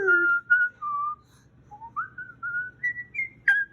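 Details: Indoor pet Moluccan cockatoo, a male, being extra talkative before bed in June 2020 as his owner talks to him; a run of short whistled notes stepping down, then climbing upward in pitch, ending in a sharp burst.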